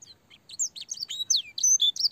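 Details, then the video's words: Canary master song, with blackthroat and sanger phrases, for young canaries: a short burst of clear, high whistled notes, rising and falling slurs and a few sustained pure tones. "burung kenari gacor panjang full isian blackthroat dan sanger suara jernih masteran kenari paud"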